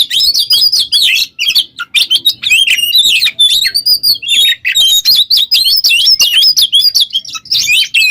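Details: Oriental magpie-robin (kacer) singing hard in ngobra teler fashion as training material for other birds; long unbroken stream of warbled whistles, sharp ticks and rasping squawks at high pitch.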